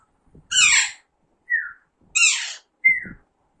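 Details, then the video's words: Young Alexandrine parakeet, pahari tota, in talking training: two loud, harsh, raspy squawks, each about half a second long, alternating with short falling whistled notes. Faint low human sounds are heard between the calls. "Alexander parrot natural sound"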